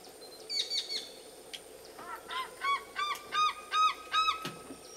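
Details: An African fish eagle at Lake Panic near Skukuza, Kruger National Park, South Africa, gives its ringing, yelping call: a quick series of about eight loud, slurred notes, each dropping in pitch, over faint background hum.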